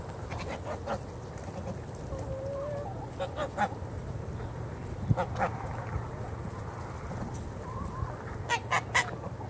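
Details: Geese in the morning uttering scattered short honks, singly and in pairs every second or two, over a constant low background drone.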